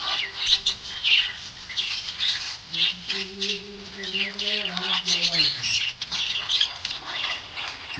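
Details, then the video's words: Happy budgie chattering in busy bursts of sharp high chirps and squeaks, while a low wavering voice-like tone drifts beneath the middle stretch before the chirping carries on alone. "Happy budgie chirping sound"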